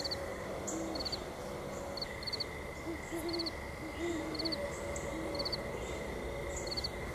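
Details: At sunset on Mt Nittany, a great horned owl gives low, muffled hoots: one early, then grouped hoots in the middle. Rhythmic chirping insects pulse throughout above a steady high hum.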